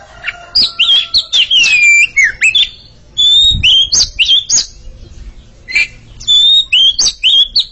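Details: Duelling song of a pair of Oriental magpie-robins: varied clear whistles, sliding down and up, given in quick phrases with short pauses between loud bursts.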